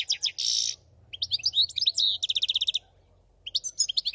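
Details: Goldfinch phrases mixing a harsh buzzy note, quick twitters and a fast rattling run of evenly spaced high notes, with short pauses between phrases.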